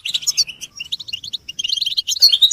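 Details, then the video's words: Brief burst of caged European goldfinch group chatter, mating and readiness calls used to make males sing. Rapid, tinkling, slightly buzzy notes run together continuously with no pause. "بتبتة الحسون تحفيز الحسون على التغريد والهيجان علاج صمت الحسون goldfinch stimulation"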